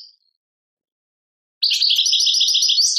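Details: Goldfinch from Algeria, Tadmait song style: after a silence, a fast run of high, chattering notes repeated several times a second, rising into a thin buzz at the end.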